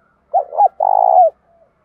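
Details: Spotted dove cooing to challenge and call, thổ voice style, loud and clear. Two quick hooted notes are followed by a drawn-out, faintly vibrating coo that slides down at its close, then silence.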